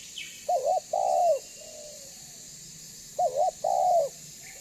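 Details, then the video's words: Spotted dove kept as a lure to make other doves call and come closer, giving two clear coo phrases, each a short wavering note then a longer falling note, with a soft trailing coo after the first. "Suara Burung Tekukur BANGGO Gacor Membuat Terkukur Lain Auto BUNYI Dan MENDEKAT !!!"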